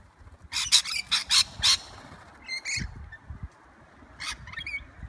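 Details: Wild rainbow lorikeets in Sydney, Australia: a run of five loud, rasping, noisy screeches in quick succession, followed by thinner squeaky chirps and another harsh screech, with faint low thumps beneath.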